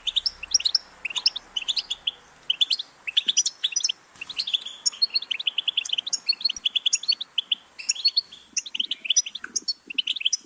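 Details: Goldfinch song in quick repeated bursts of sharp, high chirps and trills, tinkling and chattering, with brief silences between phrases.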